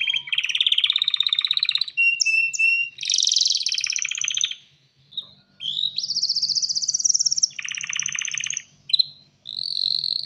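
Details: Male canary ready to breed, singing to attract a female: buzzy rolling trills, short whistles, a brief pause, then more high trills and a rattling phrase, with faint low hum beneath.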